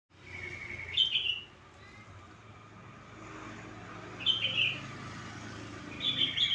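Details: Sooty-headed bulbul calls used as a lure to stimulate a quiet bird to sing: three short, bright warbled phrases spaced a few seconds apart over steady traffic rumble.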